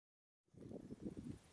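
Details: Razorbills at Hammonasset, Connecticut, on 14 December 2011; one gives low, rough, pulsing growls that run together for about a second after a brief silence.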